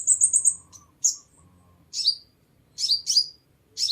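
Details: Sunbird song used as a lure to attract birds: a fast buzzy trill of very high notes, then sharp, thin chirps that drop in pitch, given singly or in pairs at uneven intervals against a quiet background.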